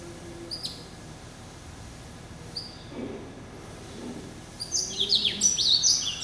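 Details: Male hybrid finch, a cross between a yellow-eyed canary and a Timbrado, hatched November 2012 and kept since late January 2013. A few faint high chirps, then a bright burst of rapid, high sweeping notes near the end.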